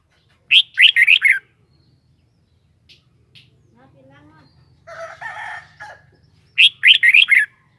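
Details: Red-whiskered bulbul kept by its owner, giving two bright, chattering song phrases of about five notes, one at the start and one at the end. A rougher, lower sound and faint murmuring fill the gap between them.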